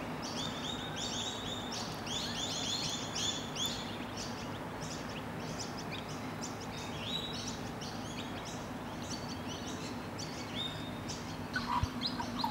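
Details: Rainbow lorikeets in Australia, lovingly preening each other as a bonded pair; a dense, continuous run of rasping high-pitched screeches from several birds, with a constant low hum underneath.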